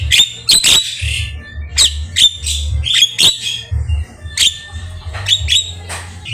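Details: Javan myna (jalak kebo) in full, chatty song used as a tutor recording for training cage birds: harsh, broadband squawks and rasping notes in irregular bursts, with a steady low hum underneath.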